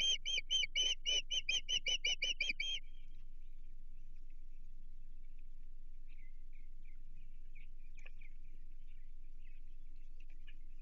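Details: Osprey at its nest on Chesapeake Bay, June 15, 2023, alarmed by an intruder: a loud rapid volley of about a dozen shrill piping whistles, then near silence with faint chips.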